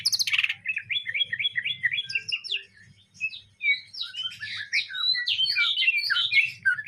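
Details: Song of a greater green leafbird with borrowed sparrow phrases (isian gereja): opens with a harsh burst, then a rapid run of repeated chirps about twice a second, a short pause, and varied twittering whistles, low hum beneath.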